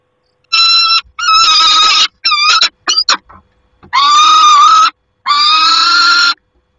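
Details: Peregrine falcon at a nest, recorded 28 August 2021: loud, harsh, drawn-out screams, each about a second long, broken by a few short choppy bursts, with brief silences between.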